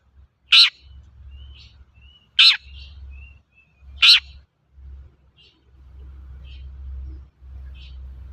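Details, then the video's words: Three sharp, scratchy shrieks from a long-tailed shrike, used to prompt other shrikes to sing, spaced under two seconds apart with faint thin whistles, followed by quieter scattered notes over a low droning hum. "Suara burung cendet gacor untuk pancingan cendet bahan"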